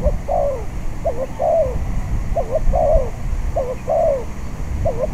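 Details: Repeated cooing from a spotted dove at a decoy pen in strong wind: four phrases about a second apart, each a quick short note then a drawn-out falling coo, over a low wind roar.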